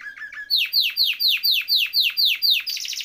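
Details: A canary sings a rolling phrase meant to tutor other canaries. After a few soft low notes comes a run of loud, sharply falling chirps, about four per second, ending in a rapid high buzz.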